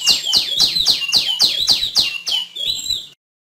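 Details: High, bright downward-sliding whistles from a female tiểu my, repeated briskly about four times a second, then a final longer wavering note before stopping.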